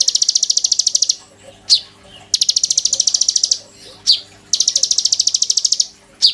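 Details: Oriental magpie-robin in a cage, singing vigorously as a tutor for white-rumped shama. Long, fast rattling trills of about one second alternate with single sharp, downslurred whistled notes, repeating in a steady cycle.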